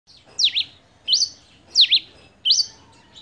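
A Grey Pileated Finch repeats a bright, high two-part phrase of sweeping notes about every two-thirds of a second, with faint background hiss.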